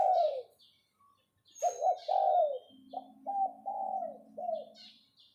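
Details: Decoy spotted dove in captivity calling 'phao phao': a falling coo, a pause, then a run of short and long mellow coos. A steady low hum runs beneath the later notes, and faint high bird calls sound in the distance.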